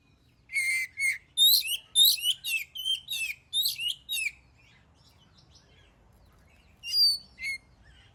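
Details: Singing oriental magpie-robin, played to trigger song in other birds; opens with a clear whistled note, then eight quick buzzy chattering phrases, a long silence, and two more whistled notes near the end.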